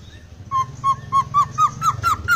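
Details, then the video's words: Laughingthrush singing fill-in phrases: eight short, clear whistled notes evenly spaced about a quarter second apart, each slightly higher than the last, over a low background hum. "Poksai gacor isian full...suara anehh"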